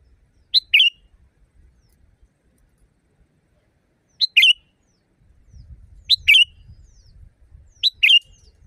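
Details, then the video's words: Wild sooty-headed bulbul, loud and natural, serving as a master recording for caged birds: four two-note phrases, each a bright pip followed by a burbling chirp, spaced unevenly over soft low background noise. "Masteran burung kutilang di tempat raja kutilang. Suara keras fulll alam"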